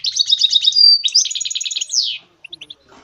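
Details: Brief song burst from a goldfinch mule hybrid, used for training songbirds: a pulsed buzzy trill, a thin sustained whistle, a second rattling trill ending in a downward sweep, then three short chirps.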